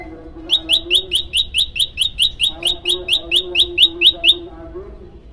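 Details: Prenjak lumut, hungry and singing actively: a fast run of about fifteen sharp, high, down-slurred chip notes, evenly repeated roughly every quarter second, over a low steady hum.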